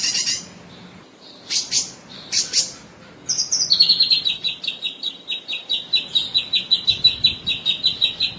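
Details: Sooty-headed bulbul song for training contest birds: a few loud scratchy bursts, then a long run of rapid, high, clipped notes that fall slightly in pitch and repeat steadily.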